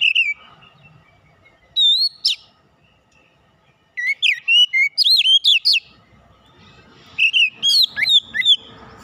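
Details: Oriental magpie-robin singing as a lure, separated phrases of bright rising and falling whistles with sharp chip notes, spaced by quiet pauses.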